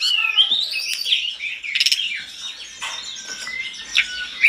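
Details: Agitated mountain tledekan pouring out continuous song that other tledekans answer. Rising and falling slurred whistles mix with warbled high notes and occasional sharp chirps.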